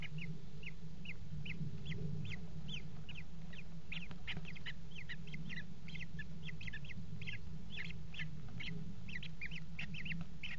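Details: Hooked, whistled notes from common kestrels, given rapidly and accelerating into a dense chattering run, during mating on a nest box rim at the Axel water tower, Netherlands, in February 2018; constant low rumble underneath.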